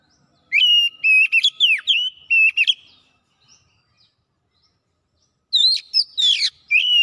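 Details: Oriental magpie-robin in vigorous gacor song showing off its varied repertoire: bursts of clear whistled notes near the upper-middle range, slurred upsweeps and buzzy chatter, then a three-second pause before another rapid run of sharp whistles and trills. No background noise.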